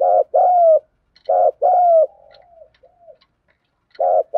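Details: Low thúc gù coos from a spotted dove: two full phrases of a throbbing note and a long falling coo, then softer trailing coos and a pause before another phrase starts.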